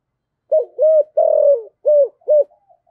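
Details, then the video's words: Single phrase from a decoy spotted dove, 'giọng thổ' style: five low hollow coos, the middle one long and slightly falling, with a faint soft note at the end. "Chim Cu Mồi - cu gay giong tho cuc dinh gay goi"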